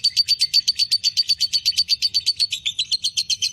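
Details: Lovebird fighter bird in breeding condition giving a long ngekek chatter: a rapid, even run of sharp high chirps, about six a second, sustained throughout without a break.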